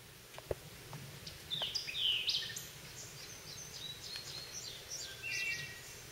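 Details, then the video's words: White-eyed vireo singing in a holler on 20 June 2014, brisk slurred phrases of high notes with a later burst of song over a steady rural hiss, before a wood thrush sings. "In the first minute of the video, songs of the white-eyed vireo followed by a wood thrush are prominent."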